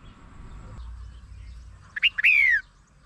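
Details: Red-whiskered bulbul lure song: two quick rising notes lead into a long slurred whistle sliding downward, after a quiet stretch with soft low rumble.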